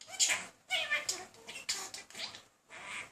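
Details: Male talking budgerigar chatting up a female, not very successfully: continuous rasping, squeaky warble with buzzy trills and chirps, broken by short gaps, indoors.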